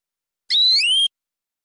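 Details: Local forest-origin canary singing a tutor song full of varied phrases: one half-second whistled note sliding gently upward, with bright overtones, in an otherwise silent, clean recording.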